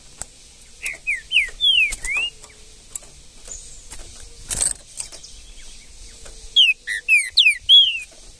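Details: Green-winged saltator in the bush, wild: an opening series of softer downslurred whistles, a quiet gap with a brief noise, then a loud, fast burst of five clear whistled notes.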